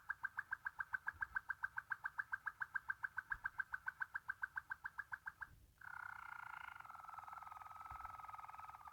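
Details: Waterslager canary, a song canary breed from Belgium valued for its deep, gentle, water-like voice: a fast even run of short bubbling notes for five seconds, then a sustained smooth whistled rolling tone.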